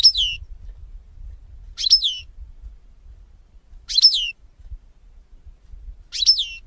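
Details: European goldfinch sound for teaching goldfinches to sing: four separate short tinkling, downslurred call phrases, roughly every two seconds, with quiet background rumble.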